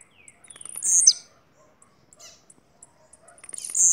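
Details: High, sizzling buzz of a Bahia blue-black grassquit with a dropping tail, followed by faint soft notes and the start of another buzzy phrase.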